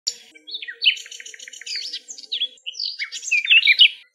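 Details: A common nightingale recorded in its natural habitat in Greece sings a rich, varied phrase: a rapid run of repeated chirps followed by whistled, slurred notes rising and falling in quick succession.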